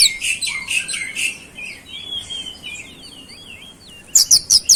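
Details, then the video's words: Oriental magpie-robin singing with flowerpecker mimicry: buzzy repeated notes at the start, then a soft series of twisting, wavering whistles, ending in a few sharp high chips, with faint background noise throughout. "KICAUAN KACER GACOR BESET ISIAN CABE CABEAN"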